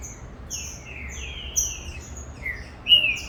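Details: Captive green-winged saltator bred as a tournament competition bird, just starting to come into singing form; clear slurred whistled notes rising and falling in short phrases, with thin high chirps above and a faint low background hum.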